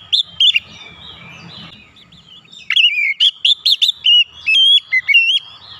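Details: Kacer song intended to encourage stressed birds to sing: after low background rumble, a run of crisp chirps and clear whistled slurs builds toward the end.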